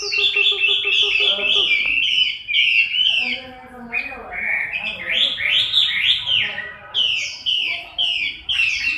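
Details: Chinese hwamei singing while moulting, October 2015: dense, varied whistled phrases with chattering bursts, a short lower warbling passage, then more loud slurred whistles in quick succession.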